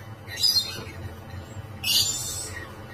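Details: Rainbow lorikeet mating inside a cage utters two rasping, piercing screeches over a second apart, each short and noisy, against a quiet background hum.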